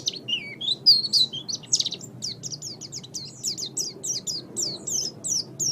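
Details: Oriental white-eye master song for training: a few varied whistled and trilled notes at first, then a quick regular series of high, thin, down-slurred chirps repeated several times a second.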